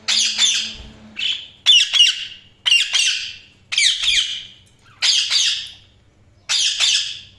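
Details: Chirping budgerigars giving a steady series of short, harsh, warbling bursts, about one each second, bright and scratchy with clean silence between.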